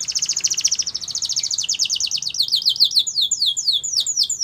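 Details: Canary training song: rapid high trills of repeated notes, slowing into a sequence of falling sweeps that repeat several times a second.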